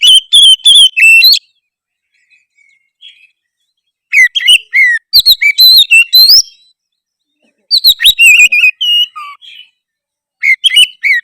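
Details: Song of an actively singing 'gacor' oriental magpie-robin, used to trigger replies from others of its kind: four loud bursts of varied high whistles, upslurred notes and buzzy chatter, each a second or two long, with silent spells between.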